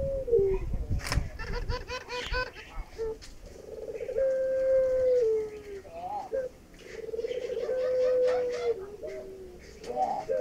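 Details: Male Barbary dove (Streptopelia risoria), Indonesian puter pelung, courting its female with long, drawn-out, mellow coos that hold steady then dip at the end; a few clicks and soft human sounds between.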